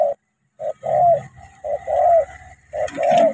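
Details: Decoy spotted dove from Cà Mau meeting a wild bird, delivering loud low cooing phrases, a short note followed by longer hollow coos, repeated steadily with a brief silence near the start.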